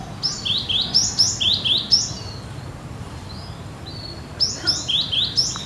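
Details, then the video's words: Singing Cinereous tit (gelatik batu), said to sound as in the wild: quick descending two-note phrases repeated in a fast string, a short lull with soft whistles, then another fast string of couplets. "Gelatik Batu Gacor Nagen Seperti Di Alam"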